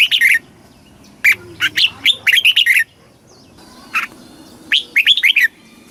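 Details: Thai red-whiskered bulbul performing southern master style song to excite caged birds and teach chicks; several quick whistled phrases with short separate notes between them.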